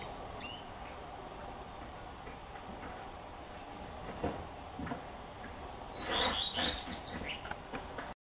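A common redstart gives a brief high phrase of quick, thin twittering notes near the end, after a few faint high calls over steady background hiss.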